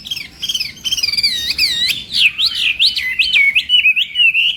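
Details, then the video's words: Chinese hwamei practising its song in the morning: quick soft chips open, then bold, repeated looping whistles, each curling up and down, sounded several times a second. "hoạ mi hót sáng luyện giọng"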